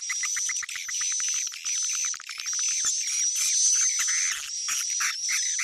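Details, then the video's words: Swiftlet calling sound, 'Sp Tarik Onar' lure used by Indonesian swiftlet farmers to draw in edible-nest swiftlets: a continuous wash of high, chattering twitters layered over a sustained thin whistled tone, barely pausing throughout. "Suara panggil burung walet"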